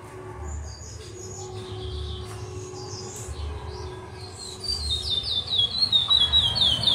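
A chestnut-bellied seed finch gives a bright run of quick, high, clear whistled notes, each dropping in pitch, after a few softer notes, over a low background hum.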